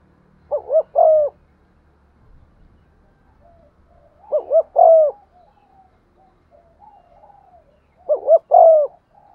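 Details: Spotted dove serving as a lure, cooing to stimulate wild doves in 'giọng son' style; three evenly spaced phrases about four seconds apart, each two brief notes and a long descending coo, with faint low knocks between.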